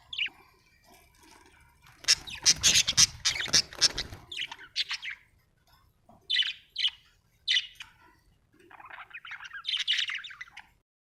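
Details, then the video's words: Budgerigar chirping and chattering: a dense burst of harsh, noisy calls early on, followed by separate sharp chirps and a scratchy warbling phrase. "budgie chirping sound"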